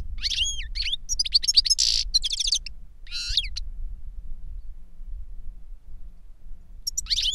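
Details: Goldfinch song from a caged master bird and novice pupil: twittering notes, a loud buzzy burst, clipped trills, then a long quiet stretch before a final twittering phrase.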